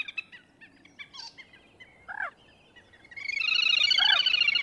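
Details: Common moorhen: scattered soft notes and two downslurred calls, then a loud, rapid, buzzy chatter that builds and holds steady to the end.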